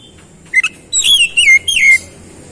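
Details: Kept oriental magpie-robin giving two short clipped notes, then a run of clear level whistles dipping slightly downward in three linked phrases.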